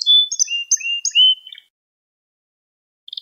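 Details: Canary singing for a lesson recording for young canaries: a brief run of sharp whistled chips and short sliding notes, then silence and a faint start of another phrase.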